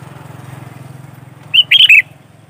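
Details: Energetic 'gacor' song of a sooty-headed bulbul, used to lure other bulbuls: a low steady hum gives way to a short burst of three or four warbled, liquid notes near the end.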